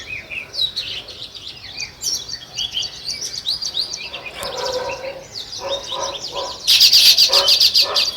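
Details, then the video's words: Natural chirping of sparrows, described as weaver birds: many high, quick chirps overlapping in a busy chorus, and a loud burst of rapid, harsh, buzzy notes near the end. "Natural Sparrow Chirping Sounds |Weaver Birds"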